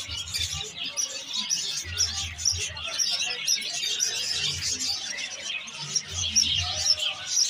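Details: Parrots chattering: a dense, unbroken stream of high squeaky chirps and twitters overlapping for the whole stretch, with soft low thumps now and then beneath.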